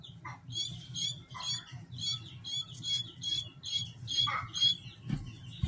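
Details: A two-day-old Pearl helmeted guineafowl keet, hatched 22 March 2023, bought from a store and kept as a domestic bird: thin, high peeping calls repeated rapidly in short bursts, with low rumbling handling noise underneath.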